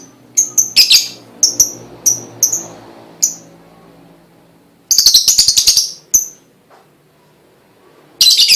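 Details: Lovebird prompting sound to encourage other lovebirds to sing: scattered piercing chirps, a rapid stuttering buzzy rattle, a lone chirp, then another harsh burst at the end.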